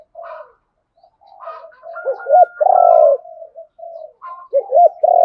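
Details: Spotted dove calls, male and female, used to provoke a wild rival dove into fighting: soft low coos, then deep two-note hooting phrases and a long throaty coo, with a faint thin whistle in the middle.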